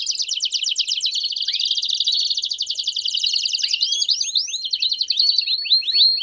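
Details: Canary singing a bell-type song with chirps, used to train the singing of young canaries: a continuous high, ringing rapid trill broken by upward-sweeping chirped notes, growing more varied toward the end.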